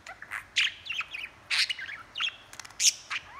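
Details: Pet budgerigar talking and chattering, filmed handheld: quick bursts of squeaky, buzzy chirps and short warbled notes, irregular with brief pauses, fairly loud and close, no other sounds.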